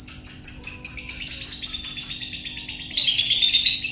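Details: Lovebird giving its long ngekek song: a continuous, rapid, high chattering trill that runs unbroken for the full four seconds and grows louder and harsher near the end. No other clear sounds.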